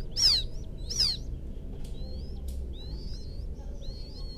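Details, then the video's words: Quail chick of the field quail (puyuh sawah) calling for its mother: two loud, high, downslurred peeps open, followed by fainter thin whistled notes over a low background rumble. "Suara pikat anak burung puyuh memanggil indukan,suara anak puyuh ladang,puyuh sawah"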